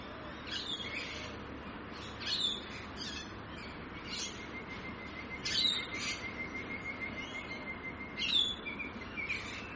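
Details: Rainbow lorikeets in Australia give harsh, screechy bursts every few seconds over a steady background hiss, with a thin high whistle running through the middle.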